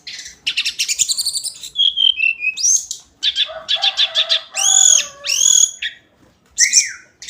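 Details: Hill blue flycatcher singing its daily song: a fast, varied run of sweet high chirps, trills and clear whistled notes, broken by short pauses, with some lower harmonic phrases mixed in.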